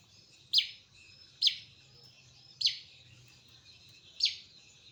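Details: Wild local cendet (long-tailed shrike) from West Kutai, East Kalimantan, singing. Sharp, harsh, high notes are spaced about a second apart, four in all, over a soft low background hum.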